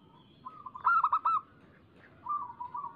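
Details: Zebra dove of a local strain, its song used as a lure to prompt doves to sing: one loud rolling, trilled coo phrase, then a softer repeated phrase after a short gap.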